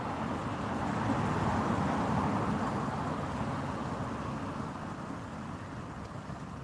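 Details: Steady broadband rumble of passing vehicles and wind outdoors in the evening, with no animal calls heard.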